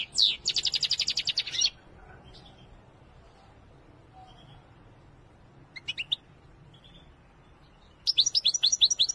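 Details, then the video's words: European goldfinch of the Widani type singing: a rapid, dense run of high repeated notes lasting almost two seconds, a brief pair of notes near the middle, then another quick burst of high twittering notes at the end, with quiet pauses between. "أقوى تغريد الحسون الويداني"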